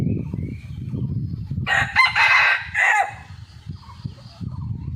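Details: Morning after a storm, a wild red junglefowl lets out a loud, ragged crow of several harsh syllables lasting over a second, captured on a concealed camera, with faint rhythmic chirping and low ambient rumble around it.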